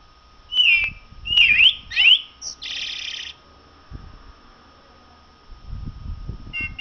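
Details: Common blackbird singing: three loud, twisting whistled phrases in quick succession, then a short buzzy, scratchy burst, followed by quiet with low rumbling background noise.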